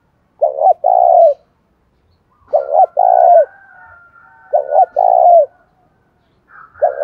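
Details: Spotted dove in the windy, rainy seventh month, calling to stir up a fight in the giọng thổ style; low hoarse coos, each a stuttered double note then a longer falling one, repeated about every two seconds over a faint high whistle.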